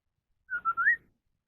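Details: Chinese hwamei, the 'họa mi đất' type, singing in contest style: one clear whistled phrase of three linked notes, dipping and then rising with a slurred upward end, in silence with no other sounds.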